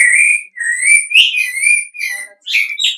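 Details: Lure call of the golden-bellied gerygone, meant to draw answers from others of its kind: a quick run of sweet, high whistled notes, each slightly rising, separated by brief gaps and ending in slurred notes.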